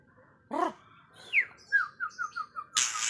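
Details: White-rumped shama song: a harsh rasping note, a sharp falling whistle, then a string of five short whistled notes stepping evenly downward, ending in a burst of noisy chatter.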